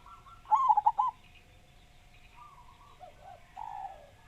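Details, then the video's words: Local Javanese zebra dove that sings often and loudly, in a lure recording for other doves. A bright run of quick, clipped coo notes, then softer cooing and chirps from other birds further off. "Perkutut Lokal Gacor Suara Besar"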